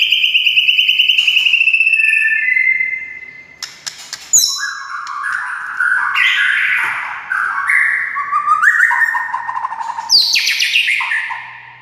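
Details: White-rumped shama song used to make other shamas sing: rapid pulsed notes at the start, a long whistle, then fast varied slurred and chattering phrases with high buzzy bursts.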